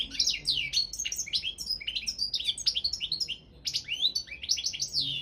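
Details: Carduelis carduelis balcanica singing in a world goldfinch song contest, a lively unbroken series of sweet twittering and sliding notes with one brief pause midway.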